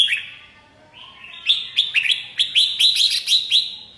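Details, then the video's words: Red-whiskered bulbul delivering a quick string of about a dozen sharp, chirpy whistled notes. They follow an opening slurred phrase and grow louder toward the end. "TIẾNG CHIM CHÀO MÀO HÓT"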